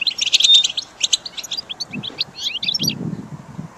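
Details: Goldfinch song for caged-bird training: rapid, high, clipped twittering notes in a loose series, with low rumbling background noise in the second half.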